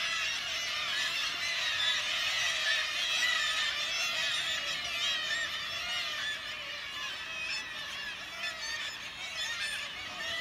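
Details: Kittiwakes on the cliffs at St Abbs Nature Reserve: a dense, unbroken chorus of many overlapping nasal, wailing calls, fairly loud and steady throughout, with no other clear sounds.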